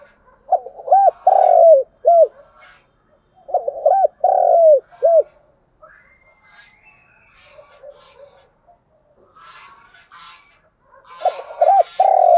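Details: Spotted dove calling to attract and excite other doves: three low cooing phrases, each of short hooked coos around a long descending coo, with faint chirping from other birds between phrases.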